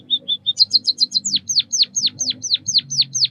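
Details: White-headed munia (Lonchura maja), Southeast Asian songbird: three thin piping notes, a quick burst of high chirps, then a regular run of sharp descending whistles, about three per second.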